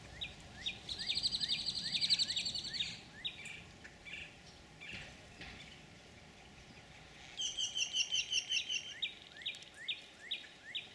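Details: Green jays at Laguna Atascosa National Wildlife Refuge, Los Fresnos, Texas, on 12 April 2017 give a "snake alarm" at a bullsnake: harsh, rapid chattering notes in two bursts of about two seconds each, separated by a quiet pause, over a steady outdoor hiss.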